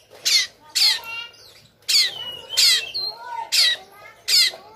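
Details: White-rumped shama, Sumatran type, fighting with tail spread, giving a harsh aggressive song: loud rasping bursts about every half second with thin whistled notes and frequency sweeps between them.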